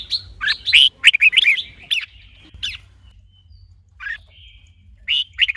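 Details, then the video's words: Red-whiskered bulbul in song training, stimulated by a female: a dense cluster of rapid chirping, warbled notes in the first two seconds, then sparse single chirps and a brief closing phrase, low hum beneath. "Luyện chào mào hót GIỌNG HAY -KÈM MÁI KÍCH TRỐNG.,kích chào mào hót căng lửa"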